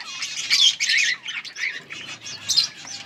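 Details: Yellow budgerigars chirping, recorded 21 August 2024; quick bright warbling chatter with short rising whistles and scratchy squawks, several birds overlapping.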